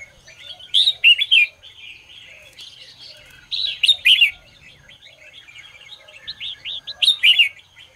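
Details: Red-whiskered bulbul singing at dawn: a loud, rollicking whistled phrase repeated roughly every three seconds, separated by continuous softer chirping and warbling.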